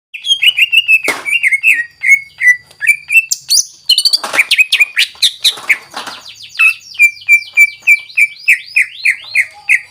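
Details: Greater green leafbird in full, energetic song, used to provoke other birds into singing: runs of loud whistled notes that dip and rise, about three per second, broken by a sharp burst and rapid trills.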